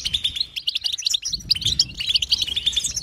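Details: Unbroken European goldfinch twittering, a lively tumble of sharp liquid chirps and buzzy trills packed close together, one short dip in the middle before the bright chatter carries on.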